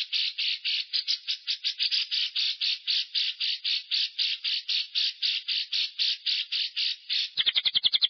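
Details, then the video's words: Long-breath lovebird ngekek used as a lure for other lovebirds. Rasping bursts repeat steadily for about seven seconds, then switch to a fast, sharp rattling trill. "PANCINGAN LOVE BIRD NGEKEK DURASI NAPAS PANJANG"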